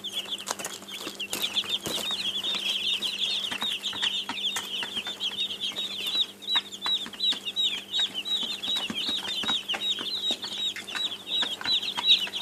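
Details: Many young chicks cheep continuously, a dense, shrill wall of short repeated peeps, roughly two or three a second, over frequent tiny clicks and taps and a low constant hum.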